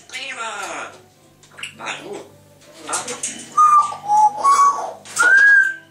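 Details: Two pet grey parrots chattering and whistling. Harsh, speech-like chatter fills the first three seconds, followed by a run of clear whistled notes, steady or slightly rising. The final whistle climbs and is held longest.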